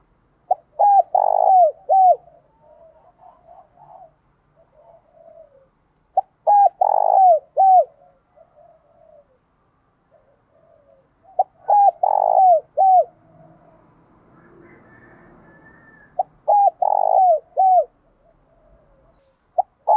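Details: Spotted dove in the thổ pha đồng style, giving thúc đấu fighting coos and gáy gọi calling coos. Four deep, strong phrases come roughly every five seconds, each a clipped double coo then drawn notes, with soft murmured notes and faint background noise between.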